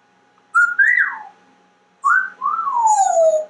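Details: Pet African grey parrot, a talkative male kept indoors: two clear whistled phrases, the first rising then dipping, the second long and sliding downward.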